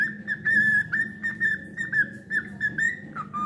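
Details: Whistled song of a pet cockatiel: a series of clear, mid-pitched notes at a nearly level pitch, repeated in short phrases about every half second, with a lower note at the end over a faint background hum.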